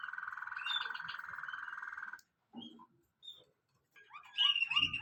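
A Waterslager canary rolls out a low, rapid bubbling trill for about two seconds. After a pause and a few soft notes, brighter, higher twittering phrases follow.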